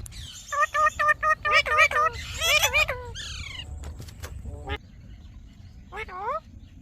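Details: Pet green parrot talking: a run of rapid, evenly spaced harmonic syllables, then quick buzzy rising phrases and a few downswept squawks, each sound short and clipped, with quiet room noise between utterances.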